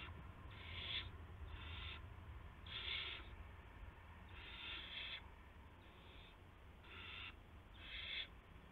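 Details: Owl nest scene at 8:00 PM, March 18, 2016, with a gopher being delivered; harsh hissing bursts repeated around thirty times a minute, uneven in spacing, over low steady hum.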